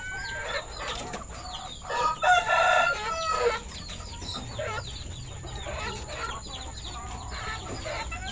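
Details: Red-and-orange-feathered rooster, a village chicken (Ayam Kampung/Ayam Bangkok), crows on a farm at afternoon feeding time, 21 February 2022; one strong, drawn-out harmonic crow lasting about a second and a half, with many small birds chirping and a constant high hiss.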